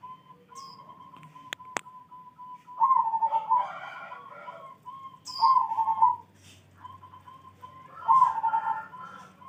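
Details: Zebra dove in morning song, giving three trilled, bubbling coo phrases about every two and a half seconds, linked by steady level tones; sharp clicks and faint high chirps sound in the background.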